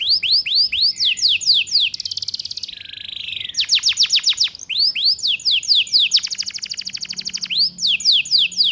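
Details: Female canary lure song in the ngeriwik style for training young birds: quick arched whistles, a rattling buzz, then dense tours of steeply falling notes and a long fine trill, repeated about four times a second.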